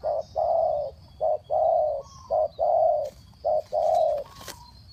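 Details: Spotted dove giving fast cooing used as a trapping lure: low, hollow coo notes in a quick run, short notes alternating with longer drawn-out ones, about one per second, with faint high chirps in the background.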